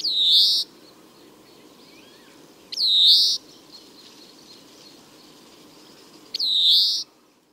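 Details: A male European greenfinch in spring gives its drawn-out, nasal wheeze three times, a few seconds apart, part of its twittering song.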